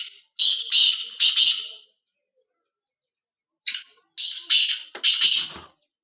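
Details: Kala tetar, the black francolin, calling twice: each phrase a run of three grating, buzzy notes, the second phrase opening with a short sharp note and ending in clicking noise.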